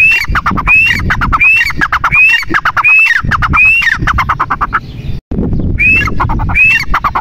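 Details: Grey francolin, said to be female, giving a rhythmic series of phrases, each a rising whistle trailed by harsh staccato notes, about every 0.7 seconds; a brief gap and low rumble interrupt before calling resumes.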